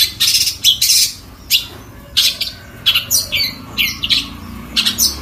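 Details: Long-tailed shrike giving harsh, scratchy squawks in short bursts, about one or two per second, with pauses between them. The setting is quiet.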